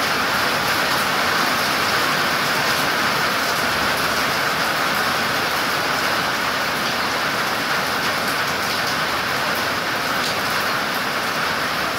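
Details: Steady broadband hiss like rain or passing traffic, with no distinct animal calls standing out.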